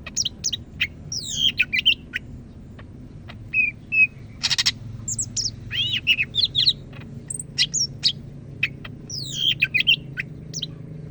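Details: Greater green leafbird of the Medan type from North Sumatra, singing in the lively, loud "gacor" style: rapid, varied high whistles and sweeping chirps in quick bursts, with a short broadband rattle midway and a low steady hum beneath.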